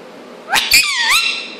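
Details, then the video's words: A 2-year-old Indian ringneck parrot, talking, laughing and making silly sounds, gives two quick squeaky syllables, then a drawn-out nasal note that dips and rises again, all high-pitched and voice-like in a quiet room. "Talking and Laughing Parrot"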